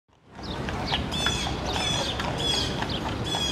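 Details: Blue jay in Central Park, New York, berating a raccoon: harsh, buzzy calls with ringing overtones, repeated about once a second, over a steady low city rumble and faint twittering of small birds.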